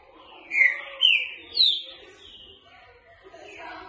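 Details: Green-winged saltator, boca mole song for training: one phrase of three ringing whistled notes rising step by step, followed by quiet murmuring background noise.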